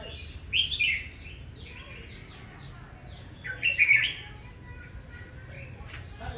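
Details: Red-whiskered bulbul in fierce morning singing, an aggressive song duel: two rich, rolling warbled phrases some three seconds apart, with soft twittering of further birds between them.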